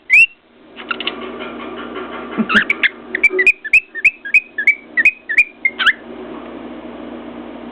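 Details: Cockatiel on top of its cage tapping a mirror with its beak and whistling; a single whistle, a stretch of buzzy chatter, then a run of rising whistles about three per second, with clicks and background hum.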